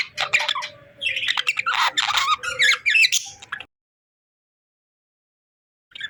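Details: Budgerigars chirping playfully: dense, rapid warbling chatter with squawky, buzzy notes for about three and a half seconds, then silence, and a brief burst of chatter resuming at the end.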